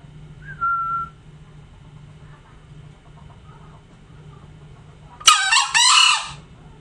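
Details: Tame green junglefowl giving a short whistled note, a long quiet stretch over a steady low hum, then one loud, hoarse, rasping two-part crow of about a second.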